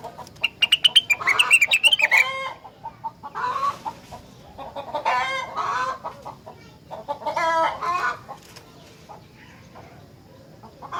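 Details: Rengganis in full song that reportedly sets off other rengganis: about two seconds of fast, loud whistled notes, then repeated harsh chattering bursts separated by softer ticking, tailing off into quiet.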